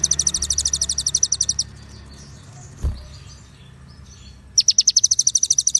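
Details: Konin-style White-rumped shama song filled with cililin and ciblek: a rapid run of piercing high chirps, a pause with faint twitters and a dull knock, then another fast chirping train.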